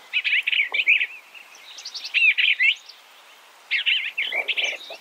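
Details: Eastern bluebird giving short warbled phrases, three bursts of quick slurred notes at mid-high pitch separated by brief pauses, in a quiet background.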